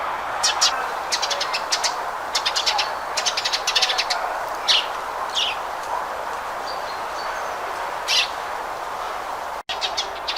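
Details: Sparrow calling with clustered runs of sharp, repeated chirps, then scattered single slurred notes and a brief dropout before the chirping resumes, over constant background hiss.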